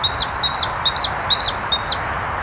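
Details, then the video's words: White-spotted bluethroat song, five quick couplets of a soft high tick followed by a brighter slurred note, evenly spaced, against a constant broad roar of background noise. "Blauwborst - Bluethroat"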